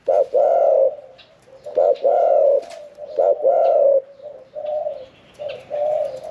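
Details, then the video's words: Middle-voiced caged spotted dove singing the 'khan yon 1 kuk' style after one year and four months in a cage. It gives loud, full coos in paired bursts with short gaps between them, then softer trailing coos. "ฟังเสียงขันนกเขาใหญ่ { ขันโยน 1 กุก} ,{นกเสียงกลาง}"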